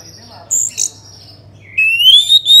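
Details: Orange-headed thrush song for coaxing other birds to sing: two short high whistles, a pause, then a long rising whistle that climbs steadily to the end.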